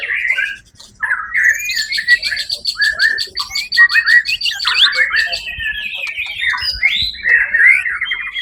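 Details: A white-rumped shama winning first place at a 1 October 2023 bird contest sings whistled and slurred phrases over a fast high ticking trill, ending in rising and falling whistles.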